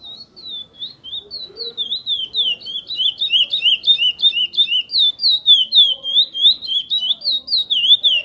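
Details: Chestnut-bellied seed finch, a kept bird of the praia mineirinho song style, singing a fast run of clear whistled slurred notes, rising and falling, about three or four per second, sustained for the whole stretch with no other sounds.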